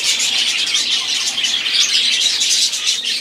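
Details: A flock of budgerigars singing: a steady, busy mix of bright chirps, trills and scratchy squeaks, many voices overlapping without pause.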